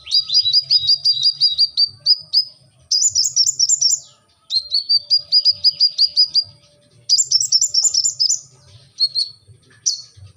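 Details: Long runs of rapid, high, ringing notes from a brown-throated sunbird, known as kolibri ninja, singing 'gacor', alternating lower and higher-pitched series of roughly a dozen notes, separated by short silences.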